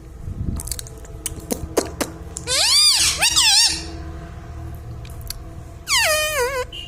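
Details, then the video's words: Indoor parrot giving a few clicks, then two loud, rising-and-falling harmonic squawks, a pause, and a final long squawk that drops in pitch, over a steady low room hum. "mummy bolta mithu ||papa bolne vala parrot || parrot talking"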